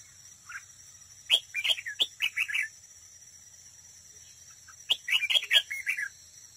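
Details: Red-whiskered bulbul kept as a trapping decoy, dueling in song: two rapid cheerful phrases of about six clear, bouncing whistled notes each, separated by a silent gap of roughly two seconds, over a faint high drone.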